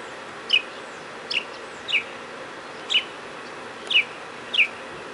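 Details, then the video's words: Mockingbird heard outside a door on 31 March 2010, giving short sharp downslurred chip notes spaced about once a second, six in all, against steady background hiss. "Listen To The Mockingbird"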